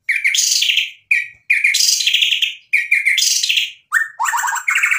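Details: White-rumped shama singing a varied song packed with mimicked material; repeated bursts of harsh, buzzy, high chattering about a second long, separated by brief clear whistled notes.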